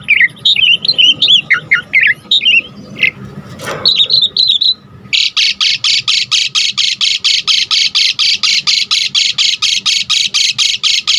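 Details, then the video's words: Asian pied starling (Jalak Suren) singing vigorously for luring and tutoring birds: varied chirps and whistles at first, then a long train of harsh, rasping bursts repeated about twice a second. "Jalak Suren GACOR Full Isian"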